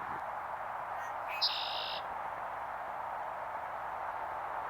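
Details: Red-winged blackbird, filmed on a Sony a7v camera, giving one song: brief sharp introductory notes, then a harsh buzzing trill of under a second, high-pitched, heard against a constant broad rushing noise.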